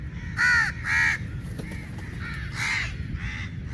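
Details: Crows fighting for meat, two loud rasping caws in quick succession followed by softer, more distant cawing from other birds in the flock, over low background rumble.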